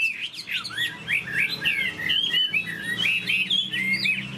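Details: Caged Chinese hwamei with fanned tail pours out clear, loud warbling whistles, sweeping rising and falling notes in quick succession, over a steady low indoor hum.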